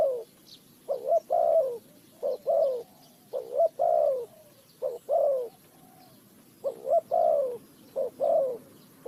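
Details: Spotted dove associated with bird trapping, Ninh Thuận, Vietnam: a rhythmic series of low coos, short notes paired with longer downward-sliding ones, in clusters separated by brief pauses, faint chirping of other birds.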